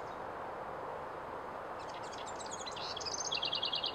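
A house wren bursts into a quick, high, bubbling jumble of notes, ending in a rapid rattling trill, over steady background hiss and rumble.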